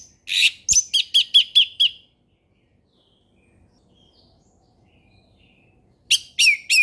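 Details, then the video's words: Ngeplong-style song of an orange-headed thrush, played as a lure for learning birds: a buzzy opening note followed by about six rapid repeated whistled notes, a long pause, then a fresh run of notes. "SUARA HUTAN ANIS MERAH NGEPLONG SANTAI"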